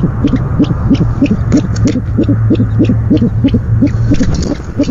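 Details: Owl at a nest, night of 17 February 2015, during the male's first delivery of the night; rapid low notes repeat about three times a second, with a low humming drone throughout.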